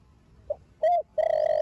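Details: Young spotted dove in the thổ đồng cooing style, from a thổ sấm line, cooing to stir other doves into cooing: a soft short note, then a louder arched coo, then a long level mid-pitched coo.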